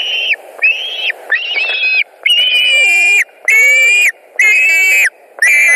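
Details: White-tailed eagles at a Latvian nest, 10 August 2019, afternoon: loud, harsher, rasping yelps with strong overtones, repeated about once a second in broad notes separated by short gaps.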